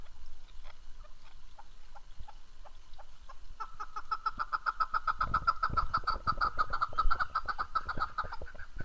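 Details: Chukar partridge in Darvoz, Tajikistan, recorded in 2019. Faint clucking notes at first, then a loud, steady run of rapid repeated chuck notes from about a third of the way in, over low rumbling background noise.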